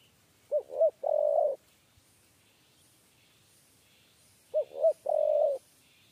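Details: A 'kuk 3' style spotted dove, the target of a trap-cage luring, gives two three-note coos roughly four seconds apart, each a pair of quick soft hoots and a drawn-out burring note, over faint high insect-like chirring.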